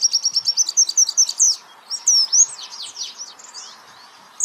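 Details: White-eye song on a training recording for songbirds: a high trill of repeated notes ends in sweeping chirps, then a softer, scattered twitter before a brief silence.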